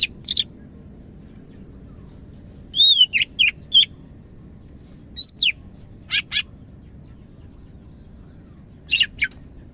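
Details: Greater green leafbird from Medan in active song: scattered short phrases of sharp whistles and fast slurred sweeps, with long quiet gaps between them and a steady low hum underneath.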